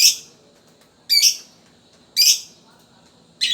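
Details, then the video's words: Fighter lovebird in the rapid 'ngetik' style, meant to lure young lovebirds into singing: four loud, harsh, high chirping bursts about a second apart, each a quick rattling cluster, with quiet gaps between them. "LOVE BIRD FIGHTER COCOK BUAT PANCINGAN LOVE BIRD BALIBU || LOVE BIRD NGETIK"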